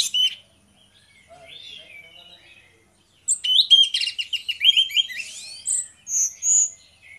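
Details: Orange-headed thrushes singing ngeplong as a lure for other birds: a sharp opening note, soft quiet warbling, then a loud rapid burst of rattling, buzzy trills followed by three clear high whistles.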